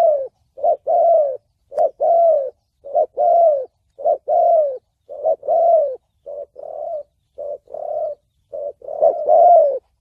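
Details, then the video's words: Repeated spotted dove phrases in the 'thổ bầu' voice, used as a trapping lure and for training decoys: steady pairs of a short note and a longer falling coo, about one phrase a second, some softer. "Tiếng chim cu gáy giọng thổ bầu chuẩn âm mới nhất, kích bổi,đi bẫy, tập mồi"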